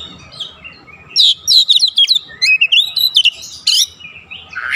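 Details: Oriental magpie-robin song played as a lure recording to set other birds singing. A quiet first second, then a dense run of varied whistled, slurred and scratchy notes, high-pitched, rising and falling in quick succession.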